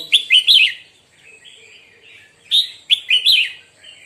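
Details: A Red-whiskered bulbul sings in the morning, giving two bursts of loud, bubbly, warbled phrases about two seconds apart, with softer chattering notes between.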